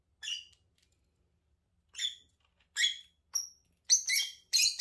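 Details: A lovebird couple calling with shrill, squeaky chirps. Notes are spaced at first, then grow quicker and denser into harsh overlapping squeals near the end.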